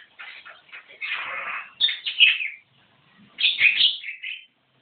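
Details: Javan myna singing hard (gacor), with long buzzy rasping phrases full of grating and squealing notes, a brief silence, then one more loud harsh phrase.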